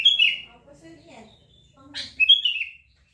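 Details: Sooty-headed bulbul (ketilang or kutilang), a sound said to make any bulbul answer at once: two bright whistled phrases, each sliding quickly down in pitch, separated by a short pause with soft low murmurs between them.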